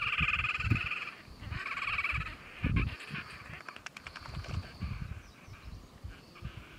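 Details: Red-necked grebes at Lille Vildmose, recorded during mating, giving two loud, nasal, wailing bursts about a second each, then a rapid squeaky chatter, over low thumps of wind.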